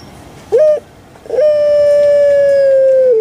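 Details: A kept Barbary dove (Streptopelia risoria, puter pelung) gives a short hooted note, then a long, even, mid-pitched coo held for nearly two seconds before a slight drop at the end.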